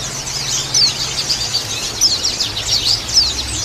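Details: Female white-eye call mixed with many caged white-eyes twittering, used as song-training therapy for males; busy high-pitched chatter with several clear downward chirps scattered through.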